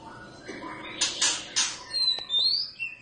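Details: Oriental magpie-robin from a caged wild pair kept indoors, described as singing the whole day; loud harsh bursts give way to clear whistled notes and a rising high whistle, with some room noise.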